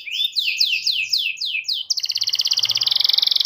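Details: Canary song used as a lure for young canaries learning to sing: descending slurred whistles repeated about three times a second, then a fast, loud buzzy trill.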